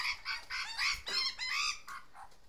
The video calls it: Mother Magpie With Noisy Fledglings